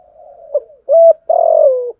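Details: Spotted dove in a challenging fighting coo aimed at rivals. A soft murmured lead-in, then a short steady coo followed by a longer hoarse note that slides downward.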